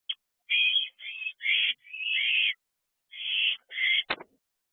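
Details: Owls at a nest box at night, 9:37 pm on 25 June 2023, at the first food delivery to the owlets. Harsh, hissing screeches of about half a second come in an uneven series, then a short sharp click near the end.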